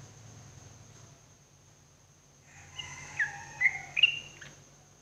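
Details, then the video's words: Sooty-headed bulbul song, used as morning therapy for cage birds: a short run of clear whistled notes, some sliding and some steady, over a low background hum. "TERAPI TRUCUKAN PAGI HARI"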